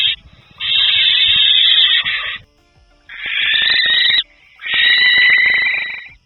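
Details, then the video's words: A Barn Owl gives three harsh, breathy hisses, each one to two seconds, like steam escaping, with short quiet gaps; a short, sharp, defensive sound made when threatened or when chicks beg for food. "Barn Owls also make a hissing sound, especially when they feel threatened or when chicks are begging for food."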